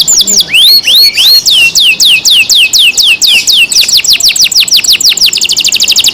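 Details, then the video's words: Caged canary singing loudly, a series of clear whistled notes, first rising then sharply falling, repeated about twice per second and speeding into a fast trill at the end. "canary Nice sound"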